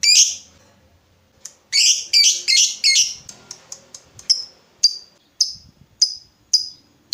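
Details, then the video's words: Chatty lovebird on a lure track for prompting other lovebirds to answer: a burst of harsh buzzy chattering notes, then a series of short, sharp, high chips repeated roughly every half second. "Pancingan Lovebird Gacor Burung Lakbet apapun pasti Nyaut Ngekek"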